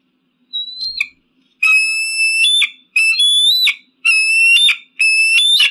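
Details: Eagle screaming: a thin whistled note opens, then four loud, shrill, harsh screams, each about a second long with a rich buzzy tone and an upward lift at the end, separated by short silences.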